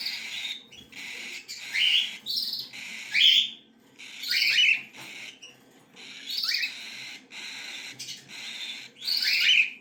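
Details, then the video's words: Young cockatiels call for food with repeated rasping, hissy bursts, each rising into a sharper squeaky note, coming roughly every second with brief gaps between. "صغار عصافير الكوكتيل"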